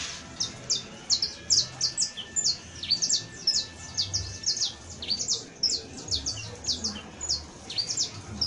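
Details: Canario criollo (saffron finch) pouring out professional song: rhythmic, evenly spaced high chirps, each sliding downward, repeated several times a second throughout, with quiet low background noise.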